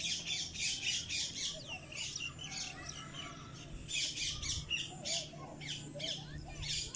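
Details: Pet cockatiel parrot giving harsh, scratchy squawks in rapid bursts of several notes, pausing briefly between runs, with fainter chirps and a low steady hum beneath.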